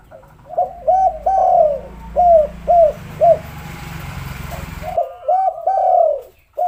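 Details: Spotted dove lure call meant to set sluggish doves calling: arched coos and a long swelling note, repeated twice, with a hissing rumbling noise filling the gap between phrases.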